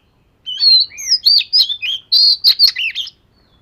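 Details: Fish-scale Oriental magpie-robin sings in daily practice: sweet high whistles, gliding slurs and rasping accents tumble together in a varied, energetic phrase of over two seconds.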